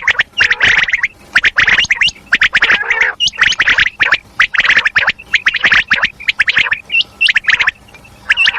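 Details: Female common quail calling in the madi kirak style: repeated groups of harsh, rapid crackling chatter, roughly one burst per second, separated by short silences and punctuated with upward-flicking whistled notes.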